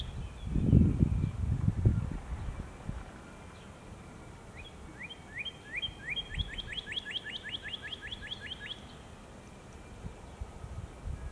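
A Northern Cardinal sings a quickening series of about fifteen clear, down-slurred whistles over four seconds. Low rumbling noise is heard at the start.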